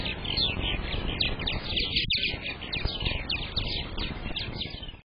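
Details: Purple martins at a nest site during egg laying, recorded by nest cam on May 15th, 2022: steady dense twittering and warbled chirps throughout, with a low background rumble underneath.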